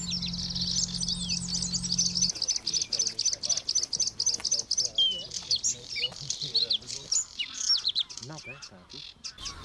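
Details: Bluethroat singing in a reed polder of Biesbosch National Park, the Netherlands, a favoured breeding spot where males sing from perches over their territory: a fast, bright run of high ringing notes, about two a second, over a low hum, then under a man talking.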